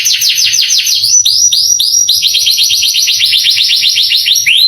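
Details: Canary tutor song to fire up young canaries: quick descending trilled notes, a short hitch, then a steady run of rapid sweeping notes at high pitch.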